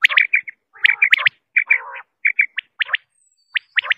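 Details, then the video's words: Calls of a quail: bursts of clipped notes and scratchy rasps early on, then sparser spaced pairs of short sharp notes toward the end. Quiet background. "صوت سمان((الفر)) Quail sound"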